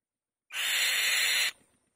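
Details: On the nest, a female white-tailed kite lets out one loud, scratchy screech about a second long, sharp at the start and ending abruptly, with silence around it.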